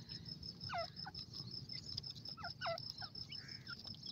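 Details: Iranian Teetar, a partridge, calling; a few rasping, hooked notes in two short clusters against a constant high-pitched whine and low background rumble.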